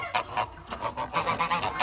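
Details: An angry, aggressive goose gives a rapid run of harsh, nasal honks, about five or six per second, loud and insistent.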